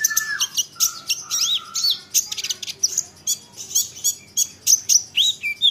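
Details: Olive-backed sunbird song meant to make other sunbirds reply: a fast run of high, thin, scratchy chips and quick downslurred squeaks, opening with two lower flat whistles.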